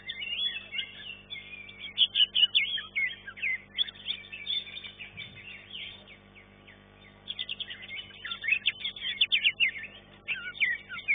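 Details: Green leafbird at a singing competition, ranked third in its class; busy high chirping phrases with strong pulsed notes, a quieter middle section, then another loud run of rapid twitters.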